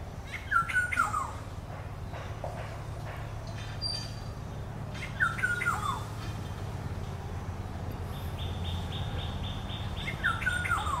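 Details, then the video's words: Black-hooded oriole giving a harsh descending nasal call about every five seconds, three times in all. Faint clicks, a thin high tone near the end and low-pitched background noise are also heard. "Black hooded oriol bird is calling"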